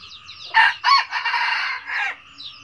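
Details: Crowing red junglefowl in the 'cà lắm' style. Two sharp, loud opening notes are followed by a rasping, sustained middle section and a short falling end, with faint high chirping before and after.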